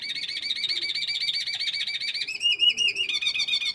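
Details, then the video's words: Red canary hybrid (mixto) in 2025 contest preparation, singing a fast continuous rolling trill of high buzzy notes that shifts to a slightly different tone near the end. "mixto Camacho el rojo 2025. Buena preparación para los concursos."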